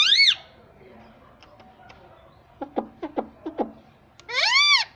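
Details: Talking pet ringneck parrot gives a loud arched squawk, a pause, a quick run of five clicking taps, then another long, loud, arching nasal call.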